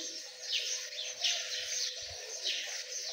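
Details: Partridge chicks, known locally as Dakani teetar, make shrill, downward-sliding peeps repeated about every half second in an overlapping chorus. A faint steady hum and a few low knocks sit beneath them.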